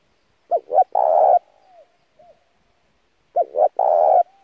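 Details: Lure song of a spotted dove for training a newly caught bird, delivered with urgent intensity: two quick hooting notes and a long, loud coo, heard twice, followed by a trailing soft note and faint murmurs between phrases.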